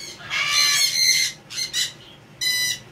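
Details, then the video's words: Male Indian ringneck (rose-ringed) parakeet, regrowing feathers after a very hard molt, talking again in a shrill, raspy, high voice: three quick bursts of mimicked speech with short pauses between them. "Indian Ringneck Parakeet's Feathers Growing Back And TALKING Again"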